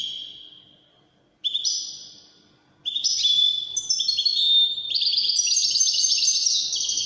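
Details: European goldfinch in Moroccan Widani song style, starting with two brief twittering phrases separated by gaps, then building into a dense, loud cascade of sparkling trills and chirps, about 200 notes per minute.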